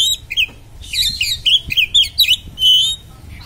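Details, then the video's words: Oriental magpie-robin singing a piercing 'konslet' song to goad other magpie-robins: a rapid string of high, sharp, slurred whistles and buzzy notes, ending in a drawn-out level whistle, against a low background hum. "kacer konslet suara tajam part2 (vidio original memancing kacer anda konslet"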